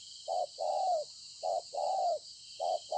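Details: Wild-caught spotted dove at Konlong on 26 September 2020, repeating low soft coos in short-long pairs roughly every second, the longer note gently falling, over a persistent high insect drone.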